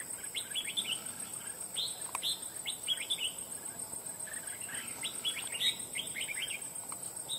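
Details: Wild red-whiskered bulbul trapped for fighting, described as having a loud voice and driving other birds away; lively bubbling strings of chirped notes in repeated bursts, over a continuous high-pitched insect whine.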